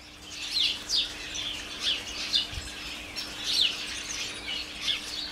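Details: House sparrows from a garden colony in holly and flowering currant bushes, heard from a kitchen door: overlapping bright chirps, about one burst every second or so, irregular, over a faint steady low hum.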